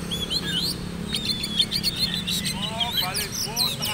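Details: Oriental magpie-robin, a bird readied for the black-and-white class of a singing competition, delivering high, rapid chirps and twisting whistled notes over men talking nearby.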